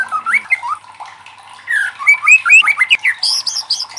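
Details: White-rumped shama singing loudly to goad other shamas into song; varied whistled notes sliding up and down, building into a faster, higher, more intense series toward the end.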